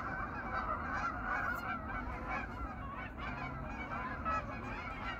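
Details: Hundreds of geese settling on a pond for the night in autumn after grazing in fields by day; a constant mass of honking, many birds calling over one another in a loud, unbroken babble.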